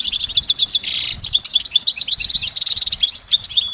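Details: Goldfinch singing in nature, a long uninterrupted song: rapid, high, liquid twittering notes tumbling over one another, with a brief buzzy rattle near the one-second mark and soft low background rumble.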